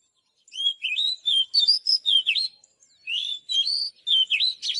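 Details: Bright whistled phrases from an Oriental magpie-robin, slurred notes sweeping up and down in rapid succession, in two bursts separated by a short pause, no other sounds.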